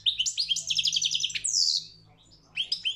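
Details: Competition song of a European goldfinch at a world championship: a rapid run of repeated high tinkling notes, then a harsh downward buzzy sweep, a short pause, and renewed twittering.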